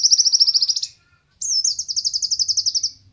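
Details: High, fast pulsed trills from a konin, recorded as lure and tutor song for pet competition birds: one trill fading out, a pause, then a longer trill starting with a sharp slurred note.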